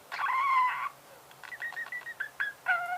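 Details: Budgerigar giving a long, nasal, slightly wavering whistled note, then a series of short chirps and brief scratchy notes at irregular intervals.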